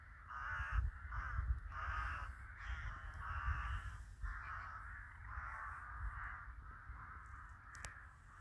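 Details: Crows in a village in winter: hoarse, drawn-out caws repeated about once a second, several overlapping, over steady low rumbling background noise.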